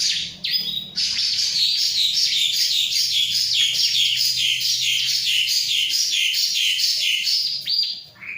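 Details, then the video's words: Vigorously singing bar-winged prinia, said to be unstressed by a myna, delivers a long rapid run of high, evenly repeated chipping notes, about two per second, lasting several seconds. "Burung CIBLEK ga stress sama jalak"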